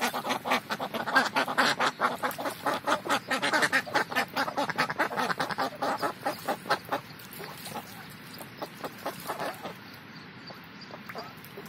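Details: Morning chorus of Indian Runner ducks at play: dense, loud quacking pulses overlap for about seven seconds, then thin out into quieter, scattered quacks.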